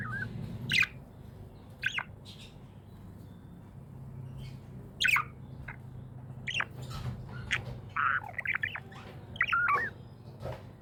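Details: Pet budgerigar, described as happy, gives scattered short chirps and squawky notes spaced a few seconds apart, then a busier run of warbled chirps near the end, over a constant low background hum.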